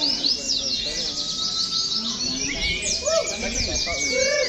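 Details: Oriental white-eyes caged side by side in a training session that simulates a singing competition. A steady wall of fast, high, tinkling twitters, with long level whistles and scattered softer chirps lower down.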